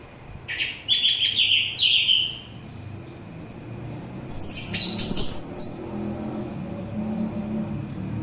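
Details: Orange-headed thrush song used as a calming recording and a bird lure: a slightly lower warbled phrase with wavering notes, then a higher, faster run of sweet whistled notes, followed by quiet hiss.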